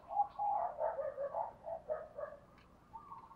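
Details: Decoy spotted dove cooing fast to lure wild birds; a dense string of low, hollow coos that fades toward the end, with light background noise.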